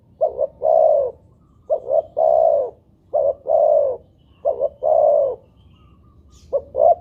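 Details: Spotted dove (tekukur) call used to lure doves into calling; repeated low three-note coos, short-short-long, given in quick succession about every one and a half seconds.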